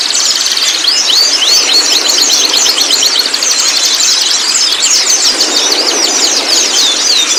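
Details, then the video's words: Young speckled white-rumped shama, a recording played to prompt juvenile shamas to sing: a loud, unbroken run of rapid high chattering trills and twittering phrases, tumbling up and down without pause, with a steady hiss behind. "PANCING MURAI TROTOL Bunyi"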